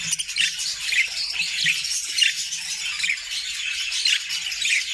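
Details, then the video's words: Budgerigars in a happy flock, kept in a new homemade cage, chattering: scattered squeaky chirps and short scratchy warbles over a steady high murmur of many birds, with faint low clicks beneath. "Budgie sounds to make them sing!!"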